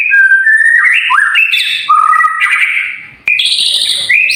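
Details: White-rumped shama song used to train caged birds: fast varied whistles and chirps sliding up and down, with a short break near three seconds before higher notes resume.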